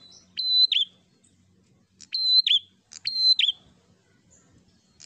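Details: Aggressive prinia song aimed at provoking rivals: three high piercing whistles, each with a sudden downward twang, the last two close together, over a soft low murmur.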